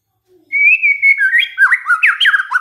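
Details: White-rumped shama song used as a lure to provoke other shamas into singing: a long steady whistle leads into a lively run of varied rising and falling whistled notes, preceded by a faint low note.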